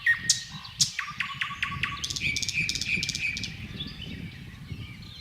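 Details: Thrush nightingale in song, delivered in unhurried strophes with pauses. A few sharp notes come first, then a row of evenly spaced pulses and a trilled, rattling series that fades into faint background noise.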